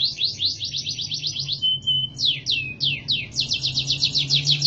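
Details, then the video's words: Canary singing, meant for training other birds: rapid rolling trills of repeated slurred notes, a short steady whistle, choppy descending phrases, then a fast high trill, with a low background hum. "Masteran burung kenari"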